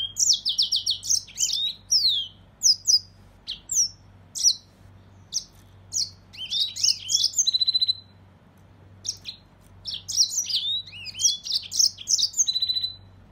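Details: Mozambique serin in sustained song: long series of high, sweet twittered and slurred notes, short buzzy trills breaking the phrases, a brief gap, then more energetic warbling; constant faint low hum.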